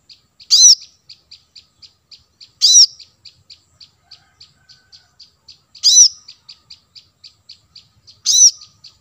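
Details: Lure audio of the plain-throated sunbird, called kolibri kelapa, to attract wild birds: four loud piercing notes spaced about two to three seconds apart over a steady patter of faint high ticks.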